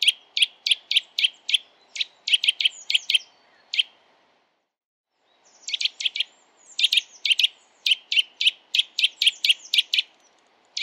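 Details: Eurasian nuthatch song, a December recording: long runs of sharp, evenly spaced whistled notes, a brief silent gap mid-way, then another rapid series of the same ringing notes, loud and clear against quiet surroundings.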